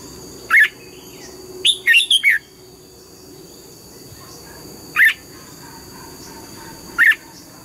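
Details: Morning singing by a red-whiskered bulbul practising double notes: a lone sharp note, a quick four-note warbled phrase, then two single rising notes spaced about two seconds apart, with a steady high tone underneath.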